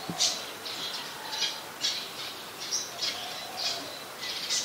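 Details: Olive-backed sunbird, a small bird common in mangrove forest at the Sirinart Rajini centre, giving short, sharp, very high chipping notes repeated roughly every half second to a second, with a quiet background hiss.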